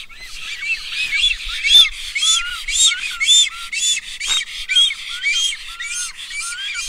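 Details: Black stork chicks being fed at the nest in Kamenice in 2021. They give a steady stream of hoarse, wheezy, rising whistled notes, roughly two a second, with raspy overtones throughout.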